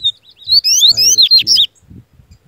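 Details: Powerful song of a Bahian yellow-bellied seedeater in full form: a high opening note, then rising whistled slurs and buzzy falling notes in rapid sequence, while a man speaks encouragingly over the middle.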